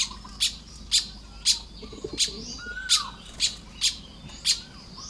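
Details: Baya weaver at its nest in the morning in Lopburi, Thailand, 1 May 2026. Bright, clipped high notes come roughly twice a second, and a single drawn-out falling whistle sounds midway.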